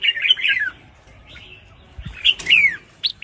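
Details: A female red-whiskered bulbul calls to provoke singing in males: a rolling warbled phrase, a quiet gap, then a sharper, slurred, descending phrase and a final short chirp.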